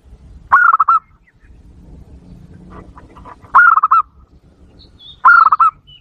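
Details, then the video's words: Zebra dove lure call to provoke wild doves: a pulsing, stuttered cooing phrase repeated three times at irregular intervals, with a soft low hum in the gaps. "Suara Pikat Burung Perkutut Super Ampuh, bikin perkutut liar kepancing emosi"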